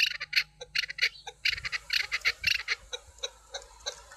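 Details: Chukar partridge, called a hunting chukar, singing: rapid, uneven clucking chuk notes, bright and raspy, in quick bunches, then spacing out toward the end, with little background noise.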